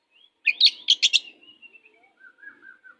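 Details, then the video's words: Oriental magpie-robin, a fierce kacer kept as master song for birds lacking drive, gives a burst of loud scratchy notes, then a long thin descending whistle and a quieter wavering whistled phrase. "Kacer pastol jahat lumayan but masteran burung Kacer kurang ngotot"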